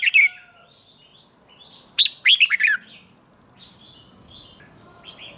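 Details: Morning singing training by a red-whiskered bulbul, chè style to provoke wild-caught birds. A single brisk phrase of four or five warbled notes, followed by faint distant chirps and low background hiss.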